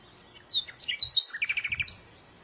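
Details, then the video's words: Lively bird song phrase: a few sweet whistled notes, then a quick descending series of around eight clear, evenly spaced chirps, ending with a sharp high note. "تغريد العصافير"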